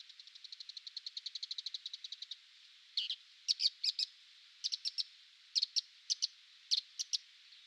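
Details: Bull-headed Shrike in autumn, filmed while making a hayanie, impaling prey on a branch; a fast, even run of about twenty dry ticking notes over two seconds, a short pause, then sharp harsh notes given in pairs and triplets.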